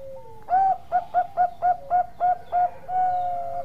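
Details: Bangkok-type zebra dove singing steadily: a soft level tone, then a loud ringing coo followed by seven quick clipped coos and a long drawn-out final note, all mellow and mid-pitched over quiet background hiss.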